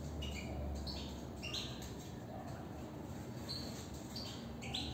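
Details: European goldfinch giving scattered, sharp chirps and short slurred twitters, spaced irregularly across the passage, over persistent low-frequency hum.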